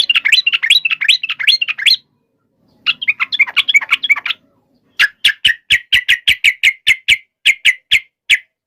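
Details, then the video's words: Fighting song of a yellow-vented bulbul that provokes other birds to reply. Two bursts of busy chatter are followed by a long series of sharp, evenly spaced clipped notes, about two per second. "trucukan gacor TARUNG FULL EMOSI TAJAM ini ampuh MENJADIKAN agar burung trucuk gacor NYAUT SEKETIKA"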